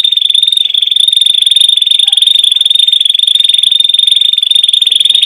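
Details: Canary singing a long, even, rapid trill of high pulsed notes, steady in pitch and unbroken for over five seconds, with a faint brighter overtone above; no other sounds.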